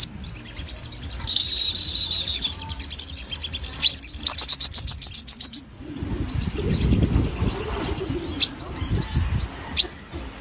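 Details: Sogon, a caged songbird, singing in a lively, energetic way: high, thin chirps and upslurred whistles, then a fast run of about ten sharp repeated notes, with wing-flutter and low rustling noise.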